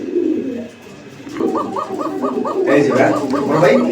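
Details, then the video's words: An original Koka domestic pigeon pair, including a female, kept in Uttara, Dhaka, 11 May 2025; one gives a quick run of about ten short, rounded cooing notes, roughly three per second, while a man talks. "আপনারা কোকা জোড়াটি দেখছেন এবং ডাকটাও শুনছেন"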